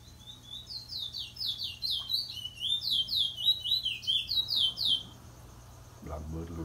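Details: Trinidad bullfinch singing in April 2021, described as a wheet drawl song: a rapid run of high, sliding whistled notes falling and rising in quick succession for about five seconds, followed by a low thump.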